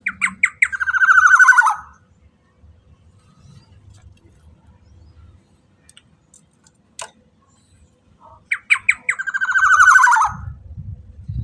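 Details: Black-naped oriole lure call, played to draw other orioles into singing: a few sharp clipped notes leading into a harsh, nasal, descending squawk, given twice about eight seconds apart, with faint low rumbling between.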